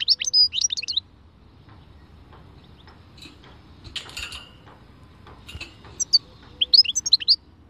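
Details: European goldfinch singing in the khalwi style: two short bursts of high, rapid, tinkling twitters, one at the start and one near the end, with a quiet stretch and faint clicks between them.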